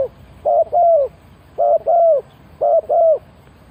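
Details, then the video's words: Spotted dove used as a decoy to lure wild birds, giving three paired mellow coos in quick succession, each pair a short note followed by a longer falling one, about once a second. "Chim cu gáy chiêu kích mồi tập bổi nhanh nổi hiệu quả"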